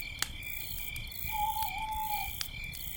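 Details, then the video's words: Night by a campfire, an owl sounds one pure, even whistled note lasting about a second, with a slight dip midway; continuous cricket chirring and occasional sharp fire crackles accompany it. "campfire night sounds - with owls and crickets"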